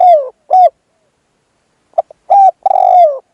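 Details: Spotted dove used as a lure for a wild dove, giving hollow coos: a falling note, a short hoot, then after a pause two soft clicks and a phrase closing on a long slurred coo.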